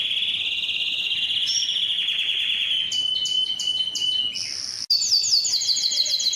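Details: Canary song for prompting males to sing: a long, slowly falling rolling trill, a burst of sharp clicks and a high whistled note, then rapid rising-and-falling whistled syllables after a brief break.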